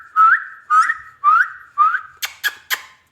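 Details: Pet ringneck parrot indoors giving four clear rising whistles in steady succession, each sliding upward at the end, followed by three sharp tapping clicks.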